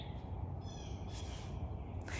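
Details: A Blue Jay near a backyard on an Earth Day morning gives loud, harsh, grating calls, the sharp noise typically made in flight: two or three rasping bursts within about two seconds, over a steady low rumble.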